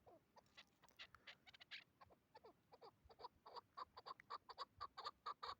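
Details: Hybrid chukar partridge used as a tethered hunting decoy, calling during a hunt: scattered chatter at first, then a steady run of loud, clipped clucking notes about four per second.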